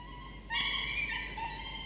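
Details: Two falcon chicks, 24 to 25 days old, at a nest watched by camera, sleepy while their father brings prey for a morning breakfast; one drawn-out harmonic cry, steady and slightly wavering, over faint background hiss.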